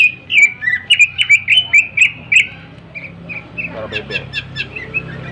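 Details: Sharp-voiced song of a greater green leafbird, played to stir other birds into singing: a string of bright slurred notes about twice a second, fading into softer, scattered chirps.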